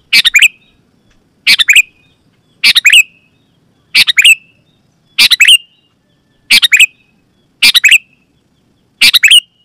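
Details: Loud, clear sooty-headed bulbul call used to draw wild birds and prompt other bulbuls to answer. Brisk bubbly bursts of three or four notes come roughly every second and a half, with silence between.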